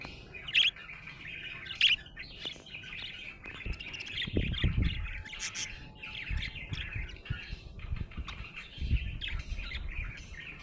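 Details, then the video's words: Happy budgerigar chirping: a busy stream of short squawky chirps and warbled notes, mostly mid-high pitched and closely spaced, with a few louder sharp peaks and low thumping room sounds underneath. "Happy budgie chirping sound"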